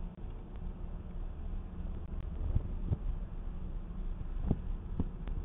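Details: Steady low rumble of traffic and wind with a few scattered sharp clicks; no animal sound.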